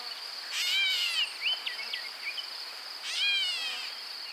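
Gray Catbird giving two nasal, cat-like mews about two and a half seconds apart, each slurring downward, with a steady high insect trill throughout.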